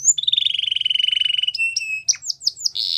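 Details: Belgian canary singing a long rapid rolling trill on a steady pitch, followed by a short held note and a series of quick downward-sweeping chirps, then a buzzy burst.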